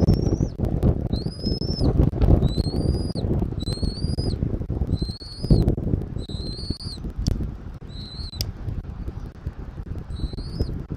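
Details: Nest-camera recording from Southwest Florida, 13 January 2024, 14:17: an eagle repeats high, piping whistled notes about once a second for ten seconds, each slightly rising, over strong low wind roar.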